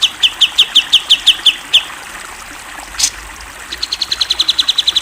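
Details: Grey-cheeked bulbul, a national champion singer in full song: a fast train of sharp, high chirps about six a second, a pause with one loud click, then a quicker run of thinner repeated chirps; a faint trickle in the background.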